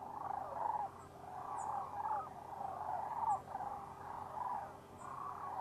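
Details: Sandhill cranes wintering in Arizona at Whitewater Draw, a huge flock. Overlapping rolling calls come in bursts about once a second, with a few faint high chirps above the chorus.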